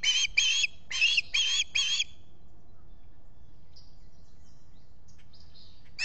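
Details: Osprey at a Finger Lakes nest, US, squawking on a July 2021 morning as its mate preens, caught by a solar-powered nest camera: five loud, rasping notes in two seconds, then near silence with faint distant calls and one final squawk.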